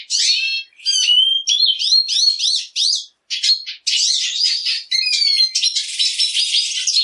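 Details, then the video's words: Sharp rising slurred whistles repeated in quick succession, then dense buzzy chattering and a harsh wheezy trill at the end, sung by a Black siskin. "Negrillo Boliviano! Llamado! Sonido! Cantando! - Black Siskin Song - Spinus Atratus"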